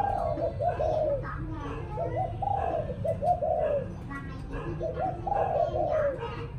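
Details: Evening cooing of a spotted dove, repeated low phrases of soft stuttering notes ending in a longer falling coo, given four times in quick succession over faint background voices.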